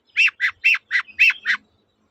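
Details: Long-tailed shrike giving 'toet-toet' song to prompt a silent shrike to sing: six loud harsh squawking notes in steady rhythm, alternating slightly higher and lower, with a faint thin whistle between them.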